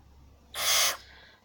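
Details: A grumpy captive barn owl being tickled during early glove training gives a single harsh, breathy half-second screech, loud and rasping, signalling annoyance; faint low hum underneath.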